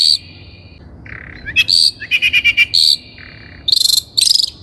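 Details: Long-tailed shrike lure song used to train untrained captive birds: a mix of thin high whistles, a low buzzy phrase and quick rattling series of harsh notes, each lasting under a second.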